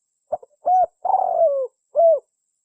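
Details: Spotted dove, called tekukur in Indonesia, a bird often kept or bred for its voice, cooing: a soft short lead-in, a hollow coo, a longer falling drawn-out coo, then a final rounded coo, in a quiet setting.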